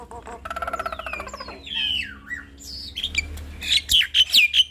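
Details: Nias hill myna in lively song, running through mimicked sounds: a fast buzzy rattle, long swooping whistles, then squeaky, squawking notes in quick bursts.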